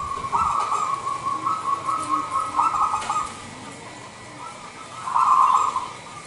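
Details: Indonesian local wild perkutut, or zebra dove, giving a crisp, crystal-toned lure coo meant to provoke reluctant doves into calling. A long, rapid, rolling trill of coos runs for about three seconds, then a shorter louder burst follows after a pause.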